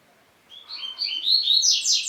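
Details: A double-collared seedeater sings a quick ascending series of bright chirps that grows louder and higher toward the end, a strain said to rouse any other male.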